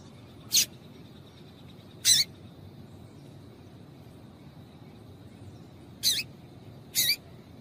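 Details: Female yellow-bellied seedeater giving calls that stimulate males: four crisp, high chirps, two early and two late with a long pause between, over a faint low rumble and steady thin high hum.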